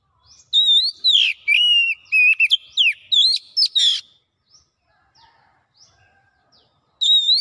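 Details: Oriental magpie-robin (kacer) singing in a full gacor style that shows off its repertoire: loud whistled phrases and rapid slurred notes in a burst of about three seconds, then near silence before a new phrase begins.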